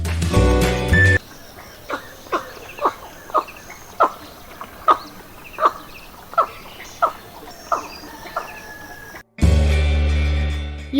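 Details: Indian Pond Heron (paddybird) from Sri Lanka giving short, harsh croaks about every half second, a dozen in a row, with music before and after.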